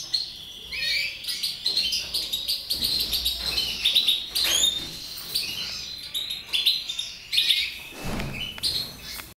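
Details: Captive mutation goldfinch in full song, a dense, unbroken stream of fast twittering, buzzy and tinkling high notes lasting over nine seconds with a faint low hum behind.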